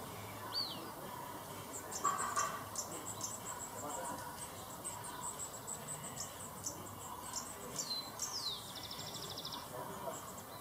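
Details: Two Mountain elaenia fledglings from a successful nest, huddling together for warmth and begging for food, give thin, high chips and short buzzy notes in loose bursts over a faint steady hum.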